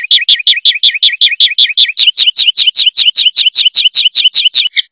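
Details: Oriental magpie-robin in competition form, with isian intended to demoralise rival birds. Strongly rhythmic series of paired high chirped notes, about two and a half per second, steady and loud, with no other sounds.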